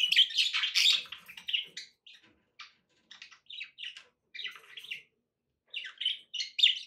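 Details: Budgie chirps as a pet bird: a loud scratchy warble opens, then scattered short buzzy chirps and twittering notes with gaps between them, and a louder run of chirps at the end.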